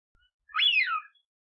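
A Eurasian wigeon gives a single clear whistle that sweeps up and then slides down, about half a second long, against a quiet background.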